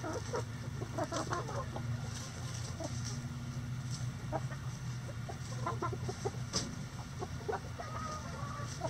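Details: Chickens in a coop on a sunny day, several birds giving short scattered clucks and murmurs over a steady low hum.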